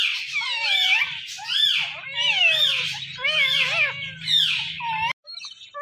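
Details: Talkative pet Indian ringneck parakeet chattering indoors, a run of warbling, squeaky speech-like phrases with bending tones, closing with a brief pause and a faint soft note.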